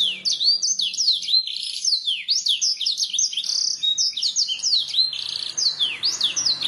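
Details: Masteran canary song intended to prompt birds to sing: a steady flow of quick whistled downslurs and looping notes, densely packed and energetic, with a faint low hum beneath.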